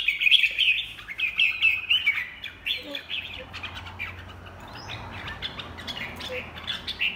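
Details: Red-whiskered bulbul, a caged bird with blood-red feet, molting beak and one faint shoulder spot, sings quick warbled phrases, bright chirping notes in rapid bursts that fade into softer scattered twitters.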